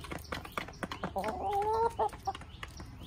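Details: Backyard rooster in Kerala making a short, steady, harmonic call of about one second, set among scattered sharp tapping and clicking sounds and faint background bird chirps.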